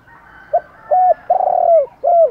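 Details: Spotted dove cooing in the morning, with male and female used as a lure to attract wild doves. One clear low phrase: a short clipped note, a longer coo, a wavering drawn-out coo, then a final falling coo, in a quiet setting.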